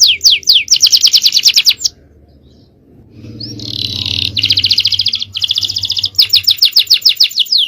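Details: Male canary song played as tutoring material: rapid rattling trills that stop for about a second, resume as a long buzzy trill over a low background hum, then end in quick repeated notes.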